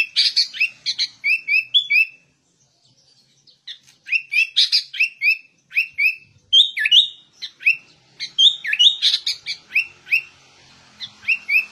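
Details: Lively ngegaruda song of a sooty-headed bulbul, a varied stream of quick chirped and whistled phrases in bursts separated by brief pauses, with sharp falling notes and tumbling twitters throughout.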